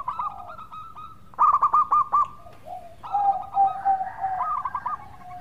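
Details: Local zebra dove in active, melodious song: a quiet coo, a loud burst of rapid pulsed notes, then a lower, rolling, warbled cooing phrase.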